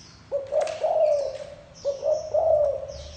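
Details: Spotted dove gives low wavering coos in a steady rhythm, each note swelling then trailing off, with high chirps of other birds above.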